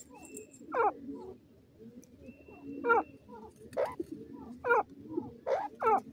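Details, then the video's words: Partridge, locally called teetar, calling in a series of loud, sharp, downward-sweeping notes roughly once a second, with soft cooing and low indoor murmur underneath. "teetar awaz"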